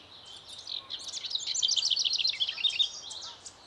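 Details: Broad-tailed hummingbird, female sitting on her nest; a steady stream of rapid, high, sharp chip notes builds and continues for about three seconds, roughly a few notes per second pulsing, with light background hiss.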